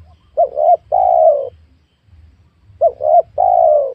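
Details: Spotted dove recorded while luring wild doves on newly worked land with young oil palms; two three-part cooing phrases, each with two short coos then a long falling coo, separated by a pause, with faint low rumble.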